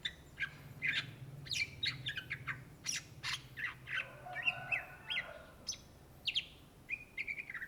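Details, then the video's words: Greater green leafbird, known in Indonesia as cucak ijo, in vigorous gacor song: sharp buzzy chattering notes mixed with short whistled slurs, busy and varied, with a steady low background hum. "SUARA BURUNG CUCAK IJO GACOR , TELER"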